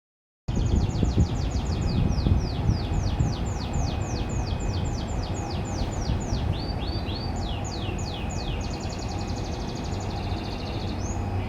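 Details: Domestic canary from a private breeding farm singing in the morning: fast trilled tours of sweeping, descending high notes repeated several times a second, changing to new phrases with buzzy rolls near the end, over steady low rumbling background noise.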